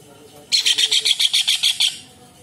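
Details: Kingfisher, locally tengkek udang, uttering a single burst of about ten loud, harsh, evenly spaced chattering notes lasting under two seconds.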